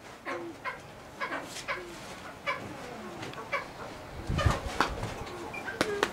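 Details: A silver pheasant at a pheasant breeding farm gives short, harsh clucking notes, roughly one every half second to a second, with a few thin whistled notes and soft thumps near the end.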